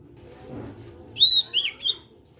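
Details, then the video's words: Ashy tailorbird (sirtu) of the cipow type singing in full voice, used to get other sirtu birds to sing along; three short, loud, high whistled notes, the first sliding level, over a low steady hum. "SIRTU CIPOW GACOR BIKIN SIRTU BAHAN IKUT BUNYI."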